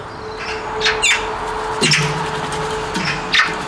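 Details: A Eurasian magpie at a feeder in the town of Vannes, Brittany, recorded on 17 November 2022 in autumn, gives a few harsh, dry chacking notes at irregular intervals over a steady mechanical hum and low rumble.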